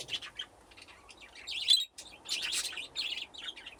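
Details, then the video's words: Budgerigars in an aviary with nesting boxes, a flock grown from two pairs, playing: bursts of bright warbling chirps and chatter from several birds, broken by a brief silent gap near the middle. "Budgies playing in the aviary"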